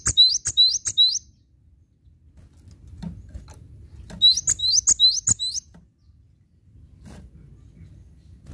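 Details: Cinereous tit song in two runs of four or five sharp, high, upslurred double notes, delivered at a steady quick rhythm, with a pause of a few seconds and faint low noise between.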